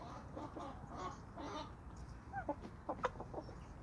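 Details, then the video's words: A homestead flock of chickens and roosters. Soft murmured clucking gives way to short, clear, sharp clucks near the end, all set against a background of steady low-level noise. "Homestead Chickens & Roosters"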